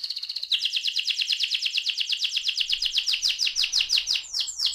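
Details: An AF canary sings a rolling (ngerol) song. Soft high notes lead into a long, rapid, evenly pulsed trill of bright repeated notes, ending in two sweeping slurs.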